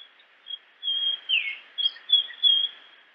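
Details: Japanese grosbeak in natural habitat whistles a steady high note, a falling slur and a series of short clear fluty notes in an unhurried phrase.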